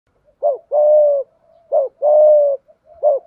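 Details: Malaysian-type spotted dove cooing in the thúc gù style: a short rising note followed by a longer, steady, low hollow coo. The pair repeats twice, then a third short note begins. The background is quiet.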